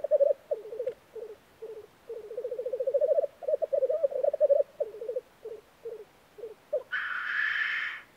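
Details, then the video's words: Black grouse lekking in Norway in spring: a series of low, rolling, bubbling pulsed phrases, one long swelling run, then shorter bursts, ending with a loud harsh hissing sneeze-like call. "Black grouse - sound of spring"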